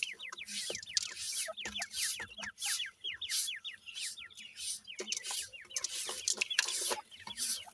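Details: Francolin chicks being fed keep up a dense run of sharp descending cheeps, repeated several times a second, over bursts of scratching and pecking noise.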